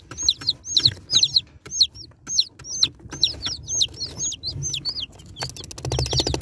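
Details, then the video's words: Several baby chicks peep during unboxing, each note a sharp high chirp sliding downward, coming in rapid clusters; a burst of fast rattling or scratching noise takes over near the end. "Unboxing Cute Baby Chicks| Chicks Relaxing Sound Effects"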